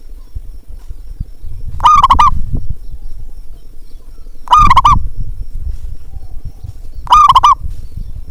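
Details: Zebra dove calling to stimulate quiet birds: three loud, warbling coo phrases spaced about two and a half seconds apart, each with a low rumbling noise beneath it.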